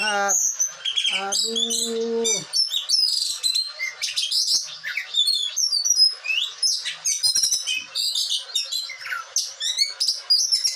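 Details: Caged blue whistling thrush from Bogor, Indonesia, singing excitedly. Dense bursts of high whistled and chattering notes, rapid sweeps and trills, broken by short pauses. Lower, harmonic, voice-like sounds are heard near the start.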